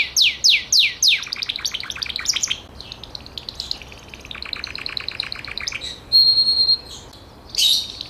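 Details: Gloster canary giving four loud descending whistles, then varied trills and chatter, a steady pure whistled note, and a final bright burst.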